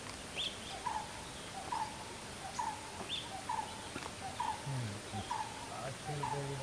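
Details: Brown-headed barbet in Bhagwan Mahaveer Wildlife Sanctuary, Goa, India, on 19 January 2018: faint, steady call notes repeated about once a second, with occasional higher chirps, over a hissing, noisy background.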